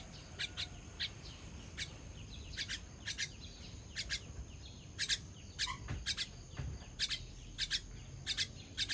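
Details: Chick begging while being fed on 18.06.23: short high chirps, often in pairs, repeated steadily through the recording against constant low hiss.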